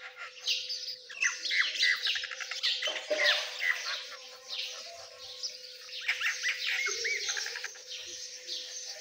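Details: A group of Dakani Teetar partridge chicks keeps up a busy stream of sharp high chirps and short rising whistles, some harsher squeaky notes mixed in, with a steady background hum.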